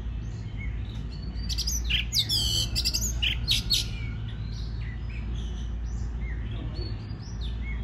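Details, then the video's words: Oriental magpie-robin song for stimulating other birds to sing, with loud buzzy, grating bursts clustered in the middle, framed by quieter whistled and chattering notes, over a low steady hum. "Choè than hót kích bổi nghe là hót"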